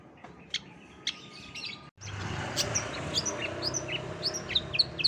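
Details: Long-tailed Shrike (cendet) giving a full masteran medley of other birds' calls, used to train contest songbirds. Sparse high chirps at first, then after a brief cut, a quick run of sharp, varied high whistles and chips over a steady low hum.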